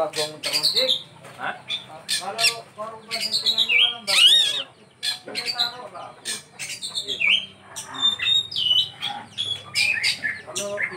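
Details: An Oriental magpie-robin (kacer) in full 'isian' song, with quick chirps, warbled trills and clear whistles packed into short bursts, plus occasional scratchy notes.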